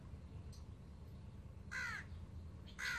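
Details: Baby Alexandrine parakeets, newly acquired pets, give two harsh, raspy screeches close together near the end, each a broad burst with a slightly falling tone, over a steady low hum.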